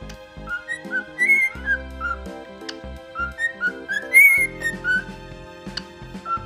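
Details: Male pearl cockatiel kept as a pet, in high spirits on a soft blanket, whistling a seldom-sung tune at New Year: bright, pure whistles with upward slides, phrased like a melody, accompanied by background music.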